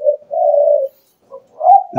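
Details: Spotted dove kept by a bird trapper, shown as an example of the small, ringing 'Mersik' voice that beginners should seek in a decoy bird: a long low steady coo, a short pause, then a soft note and a rising coo.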